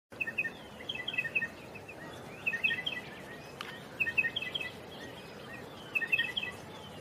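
A Striated Pardalote gives short bursts of sharp, high, paired chipping notes, repeated every second or two, over a steady background hiss.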